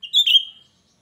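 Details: Piercing song phrase from a cucak rante in full voice, used to draw in untrained birds: a brief high whistle followed at once by a stronger, slightly falling slurred note, ending in silence.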